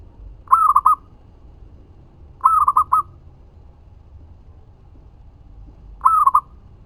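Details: Local zebra dove lure song for provoking answers from other doves: three short rolling cooing phrases spaced about two and three seconds apart, with soft low background hum.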